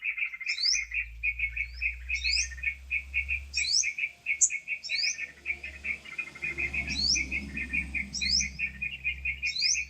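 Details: Sooty-headed bulbul lure for bird trapping: steady chatter of bright notes with rising whistles every second or so, over a noticeable low rumbling and hissing background.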